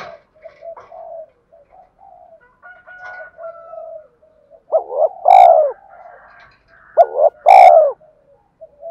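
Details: "Thúc" cooing of a spotted dove, played to set a decoy bird cooing: soft, low murmured coos at first, then two loud, rough coo bursts about two seconds apart, each accompanied by a sharp click.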